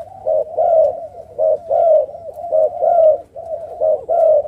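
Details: Spotted Dove kept for breeding at a farm in Ca Mau, Vietnam, Thai and Malaysian strains, pairs incubating their own eggs; rhythmic low coos in short bursts of two or three notes, repeated steadily with brief pauses.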